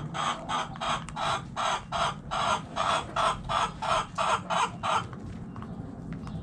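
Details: Hen in a backyard chicken coop cackling: about a dozen loud, harsh, evenly spaced squawks, roughly three per second, then falling quiet with a low rumble beneath.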